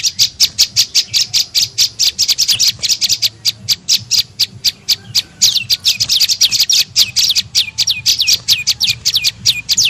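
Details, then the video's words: Prenjak lumut (tailorbird) lure call used to attract birds: dense, rapid series of sharp high chirps and twittering notes, many overlapping, continuous throughout with little pause and a faint low hum beneath. "SUARA PIKAT BURUNG PRENJAK LUMUT"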